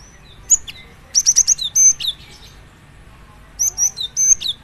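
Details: Cinereous tit (gelatik batu) delivering a quick series of four evenly spaced high whistles amid chirps, silence, then another chattering whistled cluster.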